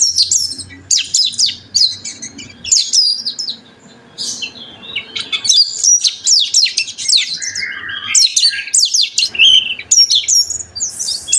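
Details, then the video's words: Oriental magpie-robin song used to prompt other magpie-robins to sing: loud, varied high whistles and scratchy chattering phrases in quick bursts, with short pauses between. "PANCINGAN KACER.KACER GACOR.KACER GACOR FULL ISIAN"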